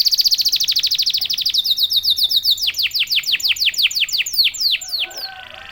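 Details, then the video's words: Active canary song meant to trigger other canaries into singing; a very fast, tight trill slows gradually into spaced, loud descending whistles, then fades into softer warbling. "KENARI GACOR||038|| Jagonya memancing EMOSI kenari cepat bunyi."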